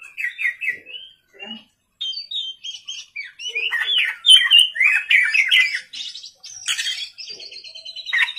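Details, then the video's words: Oriental magpie-robin singing vigorously after dark: short whistled notes, then a long, dense medley of chattering and buzzy phrases, about four elements per second. "pancingan kacer gacor malam hari"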